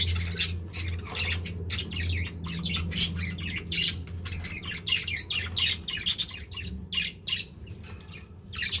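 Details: Pet budgies, a group eating together affectionately, producing fast scratchy twitters and bright squeaks in close irregular clusters, with a soft low hum that fades out toward the end.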